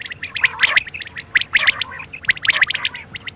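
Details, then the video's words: Quail calling at night: clusters of short, sharp, bright notes near the upper-middle pitch range, given in quick groups of two or three and repeated about once a second, with a steady low hum underneath. "quail call hd | bater ki boli 2021 | بٹیروں کی بولی رات کے لیے"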